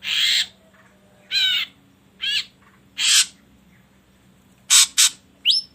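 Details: Ashy drongo lure recording meant to set other birds singing: wavering ringing notes and harsh raspy bursts, repeated roughly every second, closing with a thin rising whistle.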